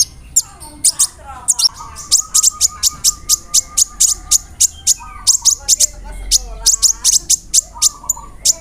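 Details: Sunbird (kolibri ninja) in a long 'roll nembak' song with cricket, cililin and sparrow imitations. Evenly spaced, very high sharp notes repeat several times a second, with fainter lower trilled phrases running beneath.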